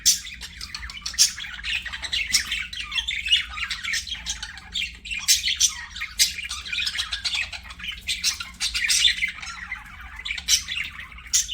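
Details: Budgies chatter while playing, a busy continuous stream of scratchy squawks and clicks with frequent sharp accents, steady over several seconds.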